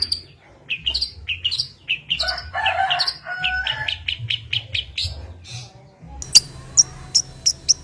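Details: Long-tailed shrike lure song with mimicked fill-ins including sparrow fighting calls; varied chips and harsh scratchy phrases, then after a short gap loud sharp high clicks spaced about half a second apart.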